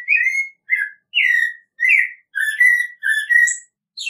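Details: An American robin delivers about eight slurred whistled phrases in quick succession, roughly one and a half per second, alternating higher and lower, with thin high squeaky notes mixed in; nothing else audible.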